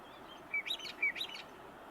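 A Western Meadowlark gives two quick, bright phrases, each a clear whistled note followed by a high, fluty warble, about half a second apart, over faint background hiss.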